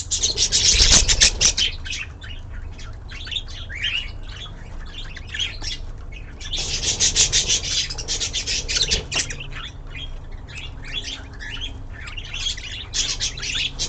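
Budgerigars chatter with rapid, scratchy chirps and warbles, the bursts overlapping almost without pause.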